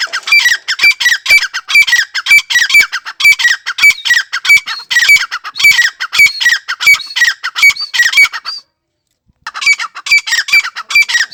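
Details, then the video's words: Francolin giving a long, loud run of harsh, squawking notes with ringing whistled tones, repeated rapidly and steadily. Calling breaks briefly near the end, then resumes at the same pace. "Tetar awaz || tetar sound || desi tetar awaz || dakni tetar awaz || تیتر کی آواز"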